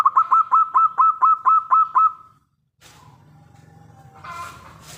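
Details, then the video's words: Zebra dove of local stock, terasan song: an even run of nine quick, bubbling coo notes over about two seconds, then a pause and a low hum with faint clinking in the background. "Burung perkutut lokal terasan"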